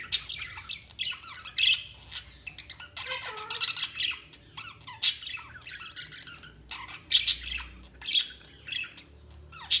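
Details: Budgerigars chirping in bursts of scratchy warbling chatter separated by brief quieter gaps, loud harsh squawks near one, five and seven seconds.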